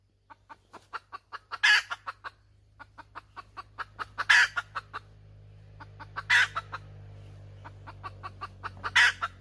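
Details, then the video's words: Hen with a repeated cluck-and-squawk pattern: rows of short clucks leading into four harsh, noisy squawks, with a steady low mechanical hum underneath. "Suab poj qaib tsauj dib tuaj zoo heev"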